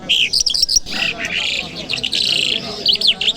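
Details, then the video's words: Singing lark recorded on a Friday morning in Kabul city: dense, rich high chattering song mixing buzzy trills and sharp whistled slides, almost unbroken throughout, with low background rumble. "Jal Birds Sounds | Lark Singing | جل مشهدي | طرقه | قزالاق | صدای جل مشهدي"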